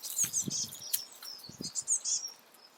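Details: Great spotted woodpecker juvenile, recently out of the nest, being fed by the female; rapid high squeaky calls with a few low thumps and knocks underneath.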